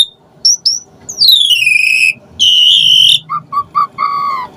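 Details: Asian pied starling singing varied material meant to excite other birds into song: short high chirps, then long rich downslurred whistles, a steady harmonic whistle, and four low clipped notes at the end.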